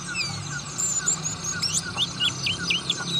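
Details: Oriental white-eye, buxtoni type, in ngriwik song: scattered thin whistles, then a burst of quick downslurred and hooked chirps repeated about four per second, with a low humming drone beneath.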